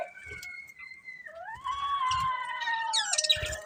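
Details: Budgerigar breeding pair giving long drawn-out tonal calls, smooth harmonic notes gliding downward and level, with soft low thumps beneath and a burst of scratchy chatter near the end.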